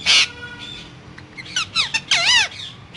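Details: Parrot lets out a sharp harsh squawk, then quieter bending whistles that build into a loud, swooping, rich-toned call, heard in a small room.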